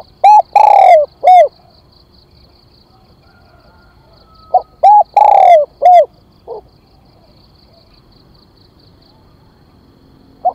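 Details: Spotted dove calling as a decoy to draw in wild doves: two phrases of arched, mellow coos, each with short clipped notes around one long drawn-out coo, separated by several seconds of quiet, with a faint steady high tone behind.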